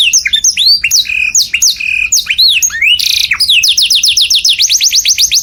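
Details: Canary song played loud for other birds to copy: varied arched whistles and a brief harsh buzz, followed by a steady rapid trill of rising chirps.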